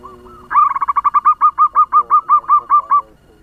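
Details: Local zebra dove used as a lure bird to stir up other doves, giving a fast-paced song: a rapid, even string of about fifteen short, bubbling coo notes that speed up after a brief soft opening.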